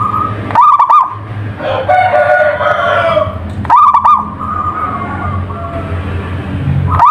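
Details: A local zebra dove sings three staccato, trilling coo phrases roughly three seconds apart. Between them is a longer, lower drawn-out call, heard over a low hum.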